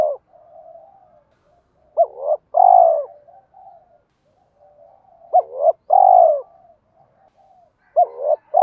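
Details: Spotted dove fighting coo meant to draw wild doves in during trapping: a clipped double note followed by a loud, sustained hollow coo, repeated twice with soft low murmuring between phrases and a third phrase starting at the end.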